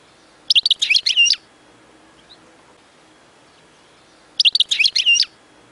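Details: Song of a European goldfinch used to tutor chicks: two short, softer phrases of rapid tinkling twitter about four seconds apart, with faint background hiss between them.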